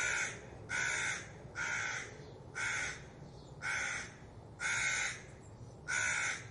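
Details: Crows alarmed by a fox give a run of seven harsh, grating caws, about one per second at fairly even spacing, each caw brief and broadband, against a quiet low background noise.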